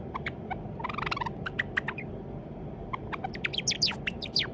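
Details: A pet white Java sparrow, likely male and raised from a chick, rehearsing song. Scattered clicks and a bunched rattle of ticking notes give way to high, steeply falling whistled chirps near the end. A low background hum runs throughout.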